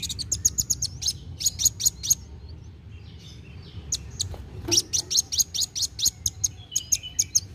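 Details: Kolibri wulung sunbird in vigorous, fast narung-style song, used to stimulate young birds to sing: bursts of sharp, high ticking notes in quick runs, then a pause, then a longer rapid series, over a low steady hum.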